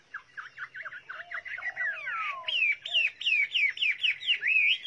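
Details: Chinese hwamei opening with quick chattering notes and sliding whistles, then settling into loud, regularly repeated upswept whistled phrases.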